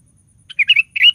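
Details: A sooty-headed bulbul sings two fast warbled phrases of liquid, slurred whistles, the second rising at its end. Its song is used to spur other bulbuls to sing.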